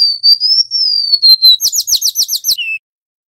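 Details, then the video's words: Golden-bellied gerygone in full song, used as a tutor recording for wild-caught birds: a high wavering whistle, then a rapid run of about eight sharp, downslurred notes and a short, lower closing note. "Burung SIUR / Remetuk laut GACOR"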